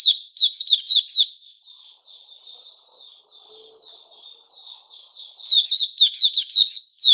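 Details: White-rumped shama, 29 August 2021: a loud burst of rapid scratchy high notes, a softer stretch of thin warbled notes in the middle, then another fast, dense run of sharp chirps.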